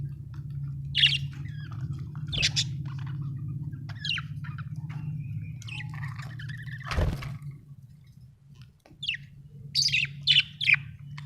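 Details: Budgerigar chirping in bursts, sharp high calls scattered through the stretch with quiet gaps, over a steady low hum and one dull thump midway.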